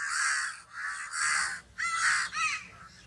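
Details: Loud, harsh crow caws in quick succession, five raspy bursts within three seconds, the later ones slightly rising and falling in pitch, with a faint low background hum.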